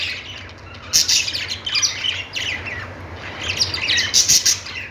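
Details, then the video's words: Budgies singing in loud bursts of bright, sharp chirps and rolling warbles, with quieter twittering between the bursts and a faint low drone. "Budgies singing |budgies sounds | parakeet chirping sounds"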